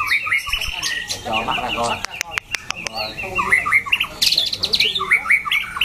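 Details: Competition-grade white-rumped shama, noted for a loud, rasping, varied voice and endurance, sings quick whistled flourishes and slurred notes. A few sharp clicks and nearby human speech are also heard.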